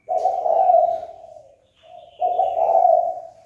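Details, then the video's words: Spotted dove calling to provoke fighting. A long, hoarse, low coo fades away, a soft short note follows, then a second strong coo phrase. Thin higher chirping sounds faintly behind. "Cu gáy chơi cực hay kích bổi đấu ngay!"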